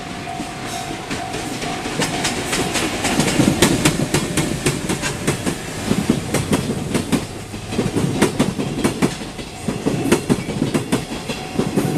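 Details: A train arriving: rhythmic clattering wheels over rail joints, a steady mechanical hum, and no animal voices.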